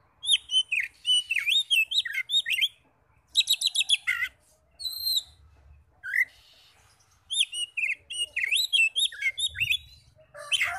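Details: Oriental magpie-robin song played as a lure so rival kacer answer loudly: energetic strings of looping whistled notes and rapid chirp clusters, a pause of a second, then a renewed fast varied sequence ending in harsher notes.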